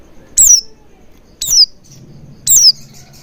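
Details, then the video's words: Lure sound for Oriental white-eyes: three piercing, high-pitched whistles that each drop in pitch, spaced roughly one second apart over a soft low hum. "Pancingan Burung Pleci Agar Cepat Ngalas & Buka Paruh Maksimal"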